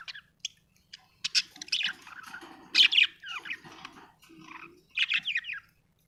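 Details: Chirping from a happy budgerigar: rapid warbled chatter mixing clicks, short rising and falling whistles and scratchy notes, with a brief low murmur in between.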